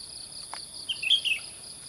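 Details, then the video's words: A Sooty-headed bulbul whistles merrily at sunrise in mountain farmland: one rapid phrase of four or five bright, liquid notes, slightly descending at the end, against a continuous high-pitched insect chorus. "Burung Kutilang Berbunyi Gacor Bersiul-Siul dengan Gembira di Pagi Hari"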